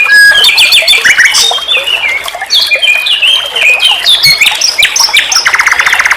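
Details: Nightingale song used as a tutor for other songbirds: a varied torrent of whistles and slurred notes ending in a rapid rattling trill.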